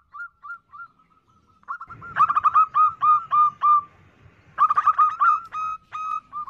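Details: Calling of a female zebra dove, used as a lure for males. Soft, spaced coos lead into loud, quick strings of clipped, ringing notes. Two bursts are separated by a brief lull, with low background rumble.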